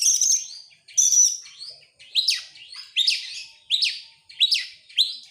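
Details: Excited kacer, an Oriental magpie-robin opening its tail as it sings rapid-fire: long high shrill whistles first, then a regular run of sharp rising-and-falling whistled notes, each strongly accented.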